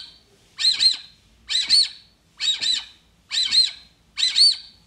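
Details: Brazilian teal giving loud, harsh double-noted whistled squawks about every second in a steady series, in a recording made while using playback to attract the species; nothing else of note heard.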